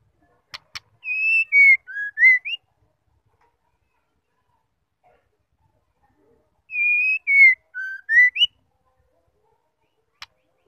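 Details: Female white-rumped shama call used to stir males to sing: a phrase of clicks and five pure whistles, sliding down then climbing up, given twice about five seconds apart in quiet surroundings.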